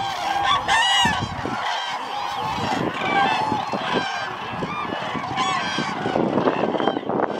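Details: Dense chorus of trumpeting common cranes gathered at Lake Hornborga, many loud rolling calls overlapping without pause, with a brief lull near the second second.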